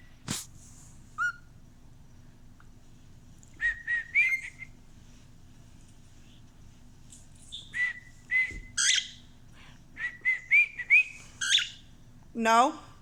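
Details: Indoor pet male cockatiel, whose favourite song is Another One Bites the Dust, giving scattered short whistles and chirps with long quiet gaps, a few sharp clicks, and a harsh descending squawk at the end.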